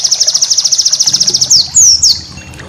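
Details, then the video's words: White-eye (pleci) master song for training cage birds, full of bursts: a rapid run of high thin notes, about seven a second, then sharp downslurred whistles. "masteran burung pleci"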